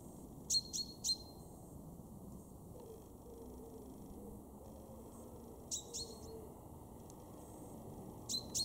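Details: Garden chaffinch, a male, recorded in Weener, East Frisia, northwest Germany, in March 2023: clipped metallic calls in twos and threes, each a falling flick ending in a thin steady note, separated by pauses of several seconds.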